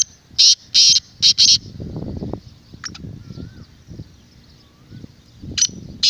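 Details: Black francolin calling, a sound used to excite captive birds and attract wild ones: harsh, buzzy, grating bursts in a quick phrase of about four notes, repeated near the end, with faint thin whistles from other birds in the background.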